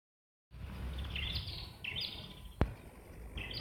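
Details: Wild red-headed prinia, one of two birds singing loudly and moving nimbly in a jackfruit tree: short bright rising whistled phrases at intervals of under a second, with a sharp click and low outdoor rumble.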